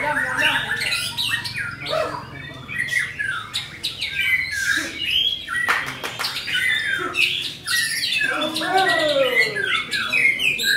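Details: Gacor singing from a white-rumped shama: a rich, varied stream of whistles, trills, sharp clicks and descending slurred phrases with few pauses, kept up for about ten seconds.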